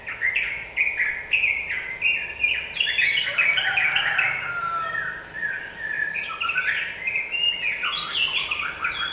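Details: Yellow-vented bulbul song used to agitate other birds: a lively, bubbly chatter of quick liquid notes, rising and falling in rapid tumbling phrases for the whole stretch, building to a denser burst mid-way.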